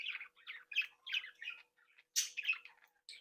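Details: Captive breeding flock of budgerigars chattering happily: a run of short scratchy warbled bursts about every third of a second, then a louder harsh squawk and more chirps.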